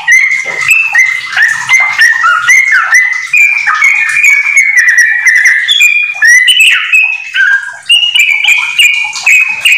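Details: Yellow-vented bulbul, a kept bird, in continuous 'gacor ropel' singing laced with magpie-robin phrases, used as a tutor recording for training house bulbuls; a rapid unbroken stream of bright, slurred whistles and chattering notes, pitch jumping up and down.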